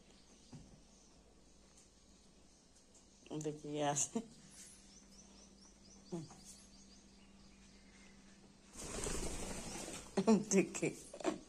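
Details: Pet green talking parrot speaks in short bursts of speech-like syllables with a few sharp chirps, separated by quiet gaps with low background hum.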